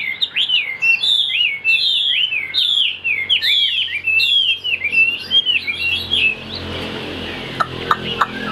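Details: Caged Chinese hwamei, a strong, high-pitched singer, pouring out rapid looping whistled phrases that swoop up and down for about six seconds, then fading into rustling noise and a few sharp clicks.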